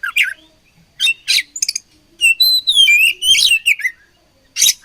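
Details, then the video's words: Fighting oriental magpie-robin pours out a dense, varied phrase: scratchy buzzy bursts, then a run of sweet sliding whistles, then more harsh rasps. Notes come quickly and irregularly, with one final rough burst after a short pause. "Beautiful Chirping Sound Of Fighting Birds"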